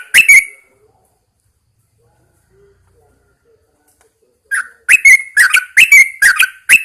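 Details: Caged Yellow-vented Bulbul hung outdoors in the early morning to encourage singing. A single chirp is followed by a long pause, then a run of bubbly, slurred whistled notes about twice a second, each rising and falling.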